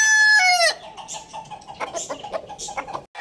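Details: A rooster finishes a loud, clear crow with a falling tail, then soft clucks and scratchy fowl noises follow.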